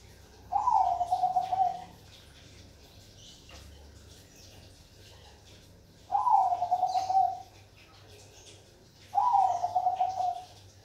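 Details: Bangkok-type zebra dove (perkutut) singing: three bubbly, rolling coo phrases, each about a second long with a trilled, slightly falling ending, separated by pauses of three to four seconds; low hum in background.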